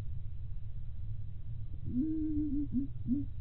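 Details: Zebra dove of local stock, a loud-voiced decoy bird, giving one low cooing phrase: a sustained hooting note, then quick short notes ending in a brief coo, over a constant room hum.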